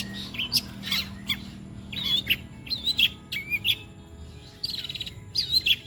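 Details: Long-tailed shrike singing a mimicry medley of phrases known as kuntilanak, sparrow, petir and walang kecek; short high chirps and whistled notes in scattered bursts, with faint low hum behind.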